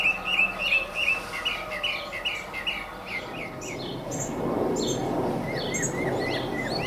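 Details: Atop a tall mesquite tree in central Arizona, a male northern mockingbird repeats one short chirped note many times in quick succession, then switches to softer varied phrases as low rumbling machine noise rises beneath.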